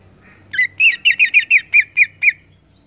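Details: Greater green leafbird, singing actively in 'ngeplong' style to rouse other leafbirds, gives a brisk chain of about ten bright, squeaky whistled notes, evenly spaced and slightly slurred, with a faint low hum beneath.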